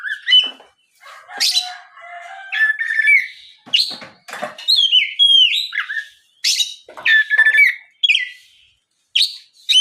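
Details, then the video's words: Oriental magpie-robin lure song aimed at making other magpie-robins sing back. Bright whistled phrases alternate with harsh rasping notes and quick chirps, in bursts of about two seconds with short gaps. "SUARA PIKAT BURUNG KACER GACOR NGEPLONG"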